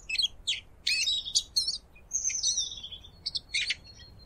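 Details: Eurasian siskin song, bright twittering bursts followed by a long thin strained wheeze and a few closing chirps, in quiet surroundings.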